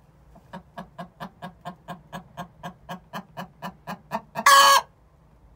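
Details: Hen's pre-laying egg song, two six-month-old birds: a regular train of clipped clucks, about three per second, rising in force and ending in one loud, harsh drawn squawk.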